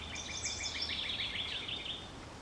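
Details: American robin fledgling waiting for its mother to feed it gives a rapid string of thin, squeaky chirps, several per second, with higher twittering notes over a faint low rumble. Finding: American robin.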